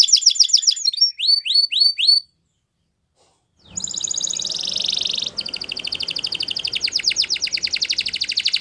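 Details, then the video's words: Yellow canary singing in the morning with fast sweeping trills and looping whistles, a short silence, then loud buzzy rolling trills and rapid rattles over a soft background hiss. "Canary Bird Singing !! Yellow Canary Singing In The Morning"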